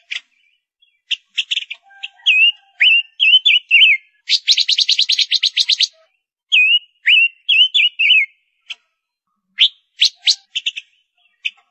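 Female ngũ sắc bird sings high, chattering phrases of short whistled notes, with a rapid buzzy trill in the middle; no other sounds.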